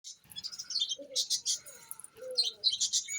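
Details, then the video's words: Several pet parrots calling indoors: high, thin chirps and short squeaky notes come in quick irregular bursts, with a few lower whistled slurs between them and soft background shuffling. "My Parrots"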